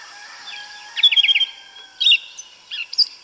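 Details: Yellow-legged thrush (sabiá una, sabiá preta) singing in Brazilian forest, canto mateiro style: after a steady faint background tone, a quick run of about six short trilled notes, then two brief high bursts.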